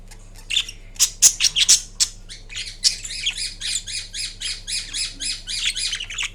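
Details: A napping pet Indian ringneck parakeet, green, indoors, opens with a few sharp high squawks, then runs into a fast, even string of short chirpy notes, about three per second, over a faint room hum.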